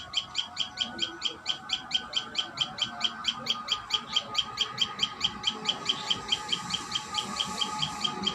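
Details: A common tailorbird at the nest keeps up a fast, regular string of bright chip notes, close to four per second, with light background noise.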